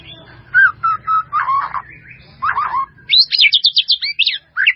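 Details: White-rumped shama sings a melodious full-fill training song: lower fluty whistles and scratchy twitters first, then a burst of high, sharp, rapidly repeated notes, with a low steady hum beneath.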